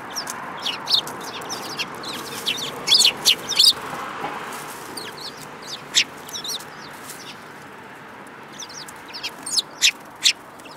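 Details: Group of sparrows including a yellow-beaked youngster, 21 January 2018; short sharp chirps and clicky notes come in clusters, loudest around the third second, then sparse, over a soft continuous hiss.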